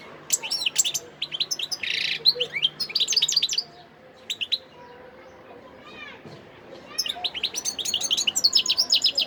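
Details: Recorded in Sidi Bel Abbès, Algeria, on 17 December 2021, a European goldfinch sings bursts of fast, high twittering with a brief buzzy note, pauses for a few seconds, then resumes with dense tinkling phrases.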